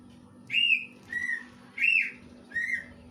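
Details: Greater green leafbird mimicking a kingfisher. Four loud whistled notes alternate between a higher arched note and a lower flat one, spaced roughly 0.6 seconds apart, against a faint steady hum.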